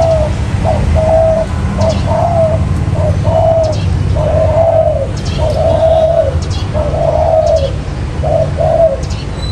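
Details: Lure recording of a spotted dove for catching wild birds: repeated mellow coo phrases, some notes stretched and rolling, with faint clicking sounds and a low continuous hum beneath.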